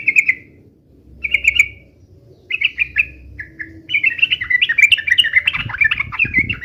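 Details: Yellow-vented bulbul fighting song ('uplik-uplik'): short trilled bursts spaced about a second apart, building into a long busy chattering warble, with soft low knocks near the end.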